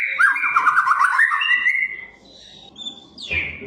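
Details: Song of a white-rumped shama, used to train and provoke other shamas: a loud, rich warbled phrase of rolling whistles lasting about two seconds, then a quieter pause with a thin high note and a sharp falling whistle.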